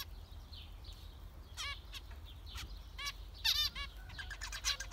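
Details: Zebra finch calls: sharp, nasal, trumpet-like beeps, a few spaced notes building to a louder cluster near the end, with quiet background hum.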